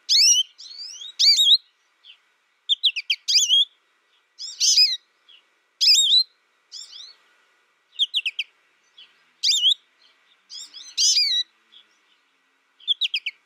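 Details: ['Caged American goldfinch raised in isolation through its first year, learning from a tutor recording without contact with other birds; high twittering song in bursts of sweet rising and falling whistled notes separated by short pauses.']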